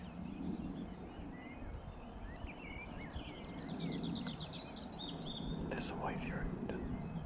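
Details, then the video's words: Common grasshopper warbler recorded on 6 May 2017 in Totteridge Valley, delivering an unbroken high, dry, ticking reel throughout, steady in pitch, over scattered chirps of other birds, a brief loud click, and low wind noise. "Grasshopper Warbler Reeling"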